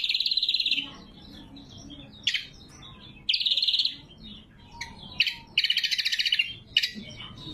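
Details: Greater green leafbird (cucak kombo) singing clearly and sharply, recorded for luring wild birds and tutoring caged ones; harsh, buzzy rattling phrases alternate with quick sharp notes and brief faint whistles between them.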